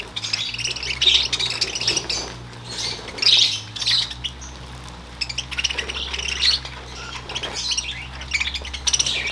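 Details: Parakeets kept in an area of a goldfish breeding farm chatter in bright, scratchy chirps and squawks, in bursts every second or two, over a steady low mechanical hum.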